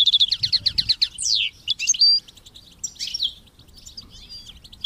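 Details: Goldfinch song with chicks chirping, for goldfinch song training: a rapid run of high notes, then sweeping buzzy slurs and scattered twitters that fade toward the end.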